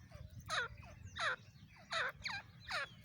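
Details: Female grey francolin recorded on an iPhone: a run of hoarse, downslurred call notes about every 0.7 seconds, moderately faint over a steady low rumble of background noise.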